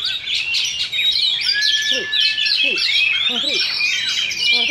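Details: Oriental magpie-robins dueling in a Sindanglaut Sunday singing contest: clear, sweet whistles, including a long steady note, mixed with quick chirps, while people talk quietly in the background.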